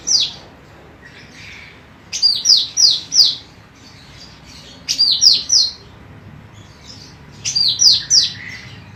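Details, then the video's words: Female golden cucak rante, favoured as a training tutor for other birds, repeats short bursts of four bright, steeply falling whistles roughly every two and a half seconds, with scattered soft twitters and a quiet noisy background. "MASTERAN BURUNG CUCAK RANTE EMAS BETINA GACOR"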